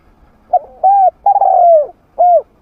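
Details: A spotted dove kept as a trained decoy, with a medium voice, played to draw wild doves close. It gives one full phrase: a faint short note, a smooth coo, a long burry descending coo, then a single clear coo.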